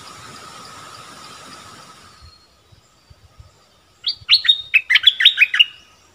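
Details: Streak-eared bulbul used as a decoy bird to lure wild birds, recorded 25 January 2021 when the first wild bird of the year was caught. A quiet steady hum is followed by a burst of about eight bubbly, warbled notes.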